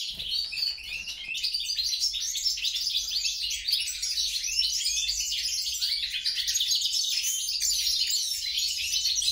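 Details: European goldfinch × grey-crowned goldfinch hybrid in sustained song, a dense, unbroken stream of tinkling twitters, buzzes and trills lasting the whole stretch.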